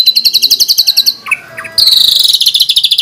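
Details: Caged White-rumped shama in a tutor recording, giving a 'tembakan' fill: a quick high rattle, a short break of scattered whistled notes, then a denser, louder rattle that gradually drops in pitch.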